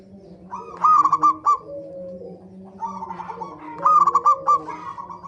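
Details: Zebra dove singing as a lure for other birds: two loud bursts of rapid stuttered cooing three seconds apart, separated by softer wavering tones over a steady low drone.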